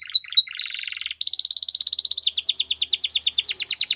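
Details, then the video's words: Belgian canary in song, used to train young canaries: a few scattered chirps and a buzzy burst, then a sustained rapid high trill that shifts into a series of quick repeated downward-slurred notes. "Belgian Canary Singing Makes Your Canary Sound"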